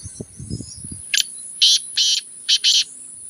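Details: Partridge (teetar) kept for training to call more; a series of five loud, harsh, buzzy bursts, the last two close together, after faint low rumbling at the start.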